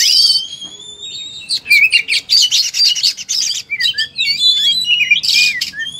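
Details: Oriental magpie-robin singing competitively: long clear rising whistles open, then a fast jumble of chirps, scratchy notes and warbled phrases, loud and varied throughout.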